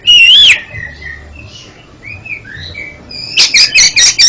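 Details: An oriental magpie-robin sings as a training aid for a stuttering bird. A loud arched whistle is followed by soft, quiet warbled notes, then a rapid run of sharp, buzzy repeated notes.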